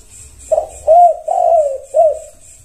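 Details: Zebra dove singing to prompt other doves to respond: one short note then three soft, smooth, wavering coos, the last trailing downward, with steady faint hiss.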